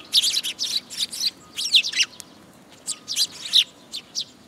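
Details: Eurasian tree sparrows arriving at a post-mounted feeding spot at a Tenmangu shrine, 26 June 2022; dense clusters of loud, scratchy high chirps in two bursts, with a short gap between them.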